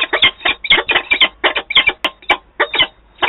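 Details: At Wałbrzych, Poland, on 11 September 2022, two adult peregrine falcons meet; scratchy, grating call notes come in quick bursts with short gaps between them, plus two brief sharp clicks.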